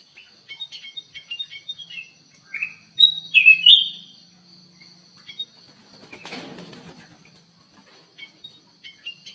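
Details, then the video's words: Black-capped bulbul singing actively in an aviary: short whistled chirps and slurred notes, a louder warbled burst near the middle, a brief rush of wing flapping, and a steady high electronic whine throughout. "KUTILANG EMAS GACOR DIDALAM AVIARY"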